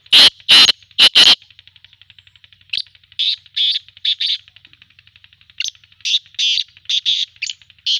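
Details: Black francolin calling from Khushab: loud harsh grating notes in quick bursts, three strong rasping blasts at the start, then a series of shorter scratchy phrases repeated irregularly, with a faint steady ticking in the background.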